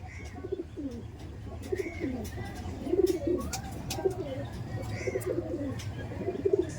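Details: Teddy Kamagar pigeons kept in a loft offered for sale, cooing repeatedly: low, rolling, slightly wavering coos overlapping one another, with faint higher chirps, light clicks and a steady low hum in the background.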